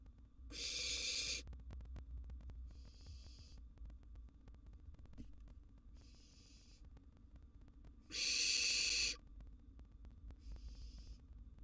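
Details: Barn owl nestling in a wild nest box receiving a large gerbil: two loud harsh hissing screeches about seven seconds apart, with several quieter hisses in between.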